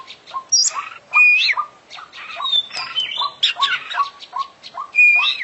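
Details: Oriental magpie-robin, an international champion bird, singing a dense 'isian' medley of scratchy chirps, clear high whistles and short low notes repeated in quick succession.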